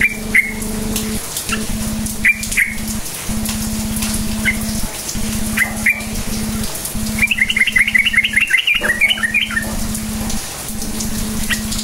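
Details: Sooty-headed bulbul song played as a lure to make quiet bulbuls answer and sing: short whistled notes repeated every second or two, then a rapid bubbly run of chirping notes, over a steady low electrical hum.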